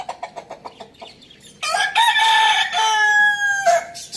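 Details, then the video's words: Rooster on a village farm crowing once: a loud, harmonic, drawn-out cry held steady for about two seconds, then dropping at the end, preceded by a short run of soft rhythmic clucks. "Amazing rooster crowing sounds | farm village"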